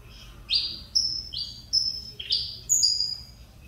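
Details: Caged Saffron Finch of the Mineirinho song style, offspring of a runner-up champion, singing again after almost two years of feather trouble: loud buzzy notes sweeping down, delivered in quick bursts about every half second, with a quiet room in the background.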